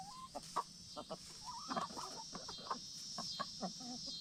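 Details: Free-range hens, black star and Bielefelder chickens, settling for the night in a movable chicken tractor; soft clucks and short warbling notes come in scattered bursts over a steady high insect-like hiss.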